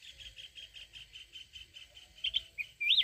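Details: Mountain red-whiskered bulbul giving a wild 'forest voice' song meant to stir up a decoy bird: a steady, rapidly pulsing insect trill runs throughout, then loud, looping whistled notes break in near the end.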